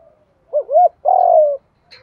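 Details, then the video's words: Decoy spotted dove kept for trapping, cooing in the 'giọng thổ' style: one phrase of quick wavering looped notes followed by a long, steady, slightly falling mellow coo, then a faint brief rustle. "Chim Cu Mồi/ Tiếng cu gáy GIỌNG THỔ PHA\ Cu Gáy Mồi Cây kích bổi"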